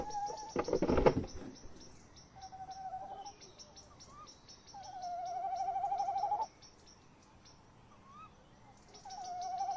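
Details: Male tawny owl in a nest box at 21:45 on 30 May 2015, the female nearby, recorded by nest box camera: drawn-out quavering trills, three bouts of one to two seconds, after a loud thump early on; high faint ticking throughout.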